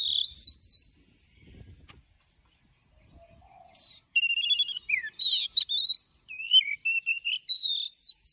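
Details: Morning song of the Oriental magpie-robin in forest-voice style with long notes. Brief looping whistles open, then after a quiet pause a long, dense run of varied slurred whistles, trills and sharp upsweeps follows.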